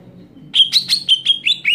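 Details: Greater green leafbird scream to stir up other leafbirds: six loud, piercing notes in just over a second, each a short, bright slur.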